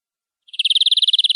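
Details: Canary in gacor, nembak-style song, giving a rapid rolling trill of around fifteen quick, bright pulses in about a second. It starts softly and quickly grows louder.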